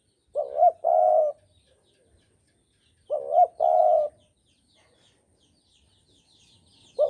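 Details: Spotted dove of the Javan type, a lure bird for trapping, gives two and a half cooing phrases about three seconds apart; each is a rising twangy note and a longer steady coo, faint high twitters behind.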